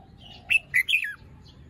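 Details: Short morning phrase by a caged red-whiskered bulbul, still moulting with fluffed feathers: three loud, clear whistled notes, the last one sliding downward, over a quiet background.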